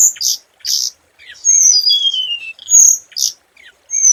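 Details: High scarlet minivet notes used for luring: two bright chirps, then a chain of sliding descending whistles, a sharp loud note and a few short upturned whistles.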